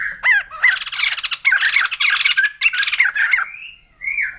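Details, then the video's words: Rapid harsh chattering by a white-crested laughingthrush, with loud rasping bursts laced with bouncing whistled notes about three per second, ending in a few softer drawn-out whistles after a brief pause. "Poksay Jambul Putih || Burung Tertawa"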